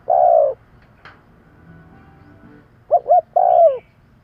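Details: Spotted dove call used to lure birds: one long falling coo, a pause, then two short coos followed by a drawn-out descending coo, in a quiet setting.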